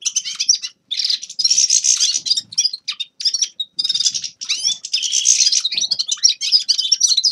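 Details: Grey-crowned goldfinch song in lively bursts of fast, high twitters and buzzy trills, separated by brief pauses, with a quiet background.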